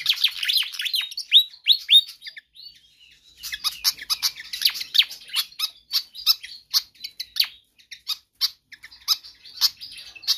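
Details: Persistent pied fantail song aimed at training or luring other birds. It opens with a series of looping, down-curving squeaky notes, goes quiet for a moment, then resumes as steady rapid chips.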